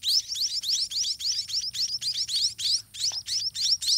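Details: High-pitched begging from white-rumped munia babies being fed in their nest by the parents; sharp, rising squeaky notes pulse steadily about three and a half times a second throughout, with one faint low click.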